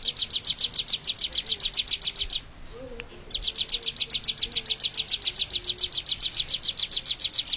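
A bar-winged prinia sings a long, rapid train of high, sharp chirps, about eight a second, broken by one brief pause. A faint low hum sits underneath.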